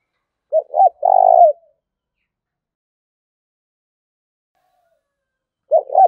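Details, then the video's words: Spotted dove decoy bird calling fiercely to provoke a rival: two short hollow coos followed by a longer, rolling, burred coo, with the next phrase starting about four seconds later in otherwise quiet surroundings. "Tiếng chim cu gay thúc bổi rất hăng và máu/ cu moi chuan kich"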